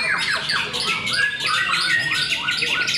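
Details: White-rumped shamas at a Cikeas singing contest, several birds at once: repeated falling whistled slurs and sharp squeaky notes layered in a continuous, busy chorus.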